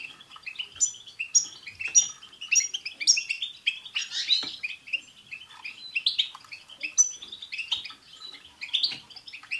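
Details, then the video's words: European goldfinches chattering together to spur a pet goldfinch into song; fast, repeated chirps and thin high whistles recurring about every half second, with a buzzy rasp midway. "بتبتة حسون جماعية رهيييبة مع تستسات تجعل حسونك يغرد"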